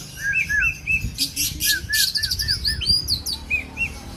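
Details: Kept oriental magpie-robin, Argal type, from Aceh, Indonesia, alternating mellow downslurred whistles with harsh bursts and a cascade of high sweeping notes, repeated in short phrases.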